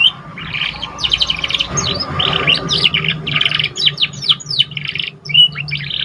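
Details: Young canary just learning to sing, used to stimulate other canaries. Jumbled chirps, buzzy trills and short rising and falling notes in an uneven, continuous stream, over a steady low hum and background noise.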